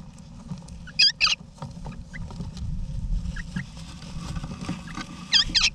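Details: Wild eastern rosellas, both parents with chicks, in a backyard nest box in Australia, November 2018: a loud double burst of wobbly chatter, softer scattered chirps, then another twin burst at the end over a low hum.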